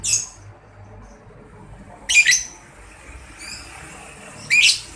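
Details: Young lovebird giving piercing, buzzy chirp bursts about every two seconds, a sound used to make other lovebirds answer. A faint thin whistle comes between the louder bursts.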